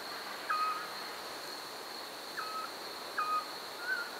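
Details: Eurasian scops owl early in the 2012 season at Parque de la Vaca, Santander, giving short, soft, mid-pitched whistled 'tyoo' notes, four in about four seconds, against a steady high insect hum.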